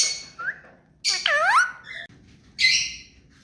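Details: Pet rose-ringed parakeet, hand-tame, giving a short rising squeak, then a long wavering, descending warbled screech, and a final harsh rasping squawk.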